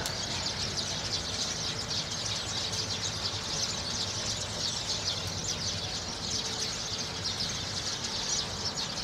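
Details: Many sparrows gathered together in a lively flock; a constant wall of overlapping high-pitched chirps and chatter, unbroken for nine seconds, with a faint low background rumble.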